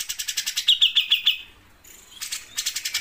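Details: Grey-cheeked bulbul (cucak jenggot) singing in a lively 'sewing machine' style: rapid, sharp high chips in a steady burst, a short pause, then another fast chattering run.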